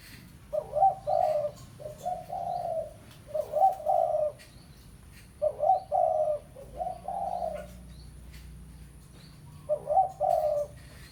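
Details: Lure recording of a spotted dove (tekukur pesom) calling a rival: six low, husky three-part coo phrases, a quick hiccup note then a longer rolling coo, repeated every one to two seconds with quiet gaps.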